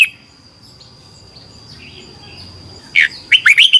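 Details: Red-whiskered bulbul singing in competition style for bird training: mostly quiet with faint twitters, then a short closing phrase of four or five quick rising whistled notes.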